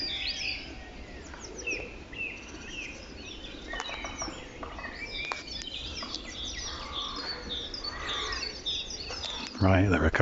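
A Song Thrush sings bright, varied whistled phrases, each repeated two or three times, amid other bird chirps, low rumbling background noise and a brief loud thump at the end.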